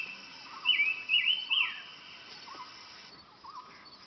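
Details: A flavescent bulbul (Pycnonotus flavescens) gives a quick run of bright, slurred chirping notes over about a second, with a lower bird answering in short rising notes and faint background hiss.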